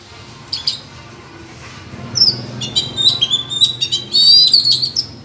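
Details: Oriental magpie-robin in a wild singing contest: after a quiet start, a high whistle leads into loud fast chirps and a warbled, trilled phrase of rich varied notes.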